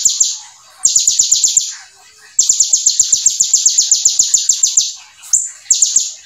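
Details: A brown-throated sunbird (konin) pours out fast song filled with ciblek phrases: bursts of rapid, high, metallic notes repeated in quick succession, with short breaks and a single squeaky note between runs.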